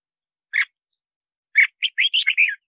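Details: Red-whiskered bulbul song used to lure wild birds and train singing: a lone note, a pause, then a quick run of five warbled whistled phrases, mid-high and rising then falling, on a silent background.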